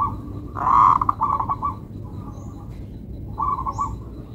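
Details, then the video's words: Melodious local zebra dove song: a loud burry coo running into a rhythmic string of short notes, a pause, then a softer pulsed phrase, with faint high chirps from other birds. "Perkutut Lokal irama merdu"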